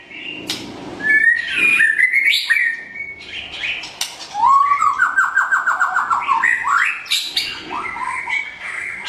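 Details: White-rumped shama of the Blorok type, morning training lure song: rising whistles and warbles, then a fast stuttering trill of about a dozen rapid ascending notes, followed by looping high phrases.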